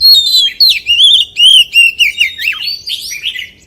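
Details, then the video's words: Rich, fluting song from a white-rumped shama in the forest-voice style: a high sliding whistle, then a string of looping, warbled notes at roughly three per second that gradually fade and drop lower. "CHÒE THAN HÓT GIỌNG RỪNG SIÊU HAY"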